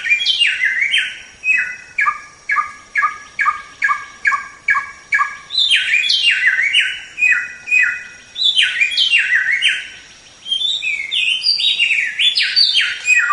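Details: Song of a white-rumped shama (samyong), used as training material for songbirds: loud stepwise descending whistled phrases, then a quick string of short repeated notes roughly twice per second, then more rich tumbling phrases.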